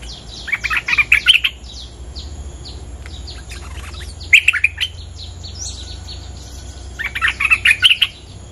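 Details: Territory-owning bulbul answering a lure recording: three bursts of bright, chattering chirps, mostly high-pitched, at the start, middle and end, with quiet gaps between and faint other bird notes in the background.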